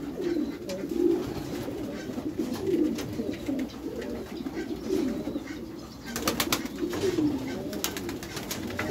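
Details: Meulemans racing pigeons in a backyard loft produce a rolling, low cooing chorus with louder coo bursts every second or two, and a rattling flurry of clicks near the end.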